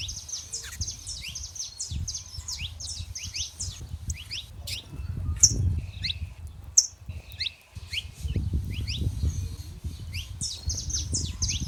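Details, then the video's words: Saffron finches singing freely in nature: repeated quick, high, rising chirps from several birds, interrupted by a few piercing single notes and a brief gap. Heavy low wind-like rumble swells in the second half. "show dos canário da terra livre na natureza"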